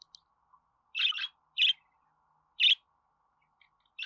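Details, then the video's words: Budgerigar chirps used to get pet budgies singing: a paired scratchy chirp followed by single bright, buzzy chirps roughly once a second, with faint soft notes in between. "Muhabbet Kuşu Ötme Garantili Kuş Sesi,Muhabbet Kuşu Sesi"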